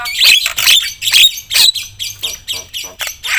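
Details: Javan myna singing loudly to provoke other mynas, here giving a steady series of harsh, hoarse squawking bursts roughly every half second.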